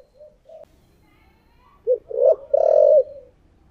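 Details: Decoy spotted dove, 'thổ' voice style: faint soft coos at first, then one full phrase of a short note, a bending coo and a long buzzy final coo over a low rumbling background hiss.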